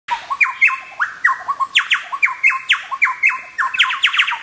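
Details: Chowchillas at Birthday Creek, Paluma, North Queensland, displaying on a log: loud ringing phrases of stepped notes jumping between high and mid pitch, repeated rapidly in a rollicking chorus, ending in a quick stuttering run.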